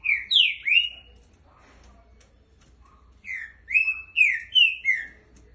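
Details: Green-winged saltator: a short burst of loud whistled, sliding notes, a pause, then a longer phrase of four or five clear whistles.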